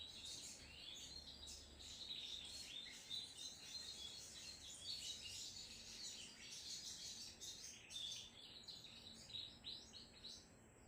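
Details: Sunbird in full, energetic song: high, thin twitters and sharp chirps packed closely together for about eleven seconds, with some notes rising steeply, over faint low background noise.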